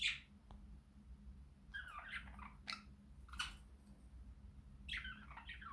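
Budgerigars warble in scratchy, chattering bursts over a low indoor hum.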